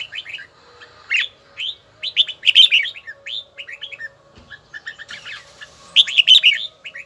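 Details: Red-whiskered bulbul in voice training, giving an even, bell-toned song: a steady string of clear, rapid whistled syllables with several louder, tightly packed flourishes.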